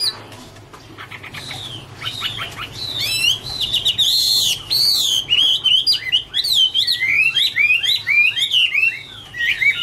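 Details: Singing Chinese hwamei, Garrulax canorus, in autumn: quiet scratchy notes build into loud, fast, swooping whistled phrases, each looping upward and down, delivered in a dense, energetic stream.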